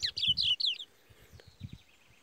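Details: Curió, a black-plumaged bird in song training, singing in the Parazão style: four loud, clear whistled notes sliding downward in quick succession, then a fainter buzzy trill, over low knocking and thumping noises.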